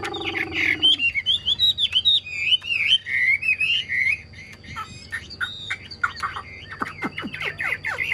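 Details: Cage-kept Chinese hwamei in full voice, a steady stream of loud, looping whistled phrases for several seconds, then quieter scattered notes and fast downward-sweeping chips toward the close.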